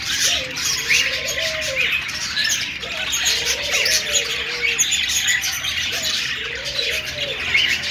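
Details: Budgerigars, described as happy and talking to each other, keep up a dense, continuous high chattering warble, while a lower, softer rising-and-falling note repeats roughly every two and a half seconds underneath.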